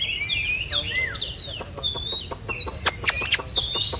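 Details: Oriental magpie-robin singing during a competitive fan-dance face-off: high whistled slurs and swooping chirps, with sharp clicks coming in bursts through the second half.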